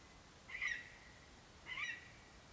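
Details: On a nest camera in September 2021, a male lesser spotted eagle holding a vole calls his mate: two drawn-out, high, thin yelps about a second apart against steady low background noise.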